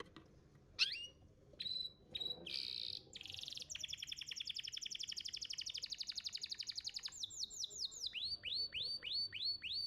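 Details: Master song of a champion competition canary, meant to make young canaries sing: short whistles and a buzzy burst, then a long fast chattering trill and a closing run of repeated downward-swept notes.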